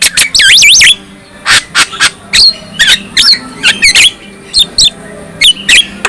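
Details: Characteristic song of a black-winged myna, used to provoke rival mynas into singing: a looping, warbled whistle opens, followed by sharp, high chips and short squeaky notes spaced irregularly.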